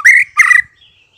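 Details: White-rumped shama song played as a lure to make other shamas answer and sing: two loud, harsh rising notes in quick succession, rich in overtones, then a faint thin trailing whistle.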